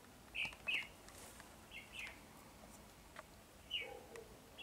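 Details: Short whistled bulbul phrases from a Red-whiskered bulbul fanning its wings like a butterfly: two quick bright notes, a softer warble, then another clear note with a lower fluttery tail, against steady hiss.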